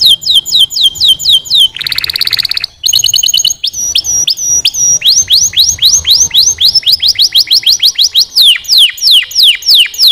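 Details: Canary singing a loud, fast song of sharply descending whistled notes repeated several times a second. A brief buzzy rattle breaks in, then the song moves into rolling trills and swept whistles.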